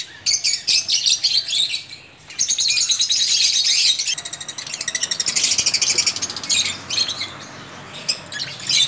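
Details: Lovebirds in a breeding colony setup, many birds calling together: dense high-pitched chirps and shrill squeaks in rapid overlapping bursts, pausing briefly near the two- and seven-second marks.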